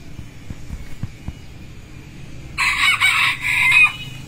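A pheasant gives a loud, harsh, ragged call lasting just over a second in several grating bursts, after a stretch of quiet low rumble and a few soft knocks.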